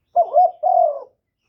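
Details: Spotted dove decoy bird giving one coo phrase to attract other doves: a rough, rising-and-falling opener then a smooth, even, low hollow note, clean and close.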